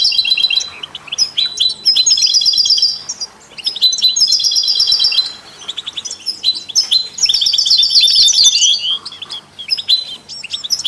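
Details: Complex, musical song of a European goldfinch used to stimulate other songbirds, from a recording that also features canaries and mules: long twittering phrases with fast buzzy trills, broken by brief gaps, repeated several times.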